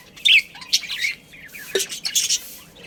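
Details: Budgerigars in a colony of pet birds chirping together: bright, scratchy chirps and short squawks in irregular bursts, with a louder harsh note near the start.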